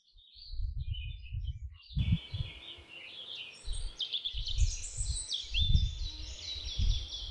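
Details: Canary song beginning with a few quick chirps, then after a sharp cut a sustained, rising sequence of high buzzy and whistled notes over steady hiss and low knocks.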